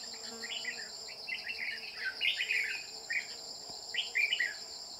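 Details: Red-whiskered bulbul at a decoy trap set for a bell-voiced male: repeated lively bursts of liquid, warbled whistles, several phrases in quick succession, against a continuous high insect buzz.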